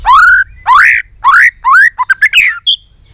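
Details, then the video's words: Excited white-rumped shama singing with tail-flicking: four loud, rich upslurred whistles in slow succession, followed by a quick run of short whistled notes ending in a brief high note. "Chòe Lửa tạch đập đuôi kích lửa cực sung. kích chòe Lửa lên lửa sổ giọng.chòe Lửa hót nhiều giọng"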